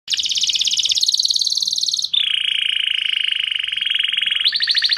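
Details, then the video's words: Canary song used to prepare females for mating: long rapid trills at high pitch, shifting between steady buzzy rolls and a lower sustained trill, delivered continuously without pause. "Taghreed canary to prepare females for mating"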